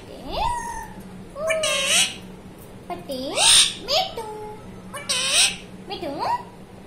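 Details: Talking parrot indoors producing a run of speech-like vocalizations: curving, rising-and-falling tonal syllables with rich harmonics, separated by breathy, hissy bursts, about six phrases in seven seconds over a steady low hum.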